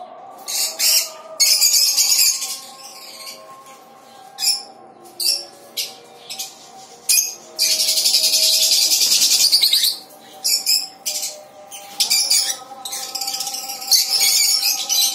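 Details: A pair of lovebirds at a breeding colony in Tripura gives shrill, harsh screeching calls in quick irregular bursts, with other caged parrots such as cockatiels and budgerigars chattering around them.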